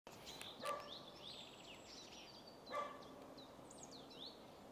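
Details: Great spotted woodpecker at Ljubljana Marsh, Slovenia, on 22 April 2024, giving two sharp, abrupt 'kik' notes about two seconds apart over a busy background of other birds' high whistled songs.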